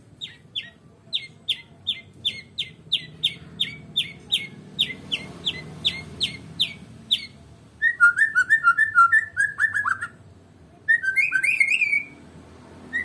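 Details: Medan white-rumped shama repeating short sharp whistled notes about three per second for eight seconds, then breaking into two fast, bubbling phrases of lower slurred whistles.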